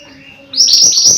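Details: Mountain white-eye in full song, a quick burst of shrill descending whistles following a faint steady tone and near silence.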